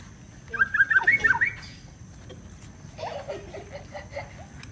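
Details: Caged white-rumped shama, freshly bathed and covered again as the weather turned bad, giving one quick bubbling phrase of warbled notes followed by softer, lower chatter.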